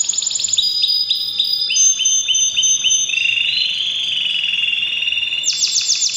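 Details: Canary singing powerfully during breeding season: a loud, high song of rapid repeated trills and buzzy rolling phrases, long sustained whistled notes running through, ending in a fast bright trill.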